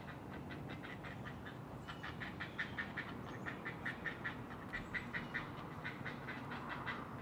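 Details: From a great blue heron nest high in a loblolly pine colony in Maryland, early morning in June 2018, a string of clipped rattling notes about one per second, growing louder midway, with a soft hum behind.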